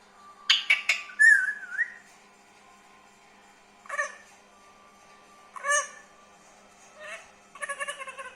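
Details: Green pet parrot, said to be talking, makes a burst of harsh squawks and a short warbled note, then several spaced, rough, nasal calls after pauses.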